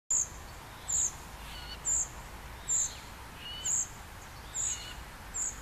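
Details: Young common cuckoo begging while being fed by a great reed warbler foster parent: thin, very high hissing notes, evenly spaced about once a second, with faint lower bird chirps in the background.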